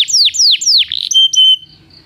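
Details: Belgian canary singing to train non-singing canaries: three loud downslurred whistles about a quarter second apart, then two short steady high whistled notes before the phrase stops.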